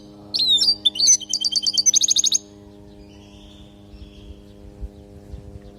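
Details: European goldfinch in Palestine singing 'lugha' song for training young goldfinches: sliding high twitters lead into a fast series of ringing, evenly repeated trilled notes lasting about a second. Then quiet with a steady low hum.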